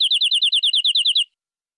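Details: Local wild canary from the forest, singing a fast, even trill of about a dozen sharp, high chirps in just over a second, then silence.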